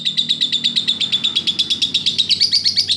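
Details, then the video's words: Lovebird master recording for training other birds: a fast, steady series of sharp high chirps, about six per second, growing slightly busier and higher toward the end. "masteran Love bird"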